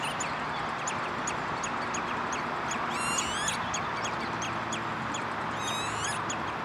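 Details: Redshank in De Wollebrand, Naaldwijk, Netherlands, 11 June 2013: a quick train of short descending piping notes, joined by two bursts of bending, ringing calls, with continuous noise underneath.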